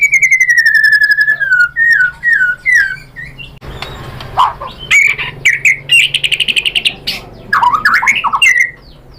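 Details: White-rumped shama song used to make other birds answer and sing: a clear descending whistle, then assorted slurred notes, chips and rapid repeated bursts, with a low hum beneath.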